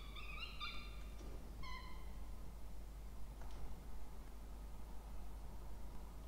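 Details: Peregrine falcon nestlings, two chicks, in a nest box at Orange, New South Wales, Australia, being fed on 20 October 2024. Two short, harsh, whining cries in the first two seconds give way to quiet with faint tapping.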